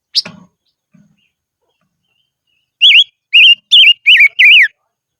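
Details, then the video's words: Silver-eared mesia decoy singing in the highlands: a single sharp click, a pause, then five loud whistled notes in a quick, even series, each bending up and down. "Chim Ngũ Sắc Mồi Hót Trên Vùng Cao Toj Siab Suab Noog Tsheeb Quaj"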